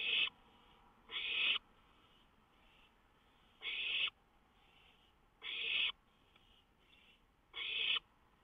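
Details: Raspy hissing bursts from an owl perched on a lookout in the night of 19 May 2013 with a songbird close by. Five rough hiss notes come at uneven gaps of one to two seconds.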